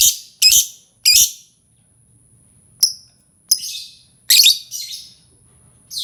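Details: Lovebird sound meant to make other birds answer: loud harsh chattering bursts, broadband and high, in irregular clusters with short silences between.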